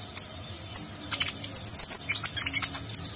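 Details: Nagen-style song of a konin sunbird, recorded to train contest birds: scattered thin, high tweets building into a denser run of rapid chirps near the middle, then spaced single notes.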